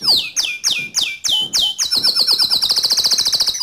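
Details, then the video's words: Song of a white canary in lively voice: loud downslurred whistles about three per second, then a dense, rapid rolling trill sustained to the end. "Suara Kicau Burung Kenari Putih Bersih Gacor Dor"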